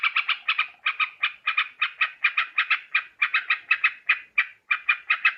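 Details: Sooty-headed bulbul recorded in Borneo for bird trapping: a steady string of paired, rasping notes repeated about three times a second, with no other sounds.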